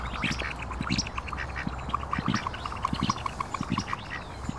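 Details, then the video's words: Ducks feeding by a park lake, Mandarin ducks, Pekin ducks and mallards together; a long run of short, evenly spaced nasal quacks from many birds, with low chatter beneath. "Ducks Quacking - Mandarin Duck - Mallards - Pekin Ducks"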